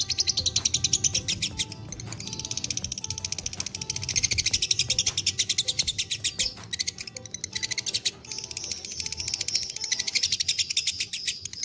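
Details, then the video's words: Long, drawn-out ngekek trill from a fighter lovebird, dobel minor strain: sustained, rapid, high, buzzy pulsing over many seconds, with brief breaks and faint tonal hum beneath. "love birds faikter dobelan minor top ngekek durasi panjang gacor"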